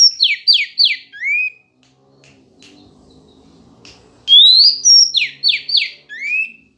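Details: Singing female Oriental magpie-robin provoking males: a phrase of three rapid, harsh downswept notes and a rising whistle. After a short pause it repeats, opening with a long upslurred whistle.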